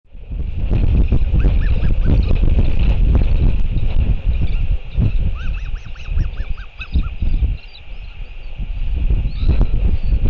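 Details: Royal albatross father returning to feed the chick at the nest, New Zealand, 7:58 pm, 28 March 2023: runs of short, honking, rising-and-falling notes in quick series, partly buried under strong, steady wind roar.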